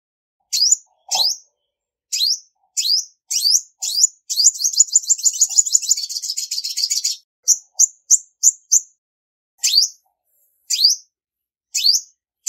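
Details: Spaced high chirps from a female olive-backed sunbird, calling to stimulate males, break into a long, rapid, buzzy trill lasting about three seconds before the single chirps return. No background noise.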